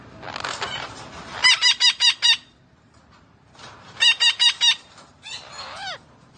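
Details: Green parrot vocalizing: a noisy rasp, then two bursts of four sharp, ringing harmonic notes separated by a pause, finishing with a grating call that bends downward at its end.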